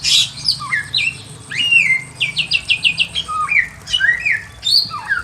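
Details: Pekin robin singing in a simple aviary, a lively run of clear whistled notes that slide up and down, with a fast series of short repeated high notes near the middle and a faint low hum underneath.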